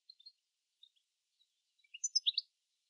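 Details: European goldfinch in Sweden (Ottenby, Öland): a few faint, scattered high notes, then a quick burst of bright, liquid twittering near the end. Otherwise quiet.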